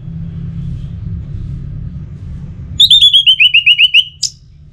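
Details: Orange-headed thrush (anis merah) stimulating 'pacingan' song from northern Bali, Singaraja, for a kept songbird: after low background rumble, a rapid run of about ten clear, high, slurred whistled notes, then one short sharp burst.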